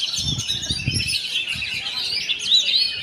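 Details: Oriental magpie-robin pouring out quick high chattering and whistled notes without pause, with soft low thuds in the first second.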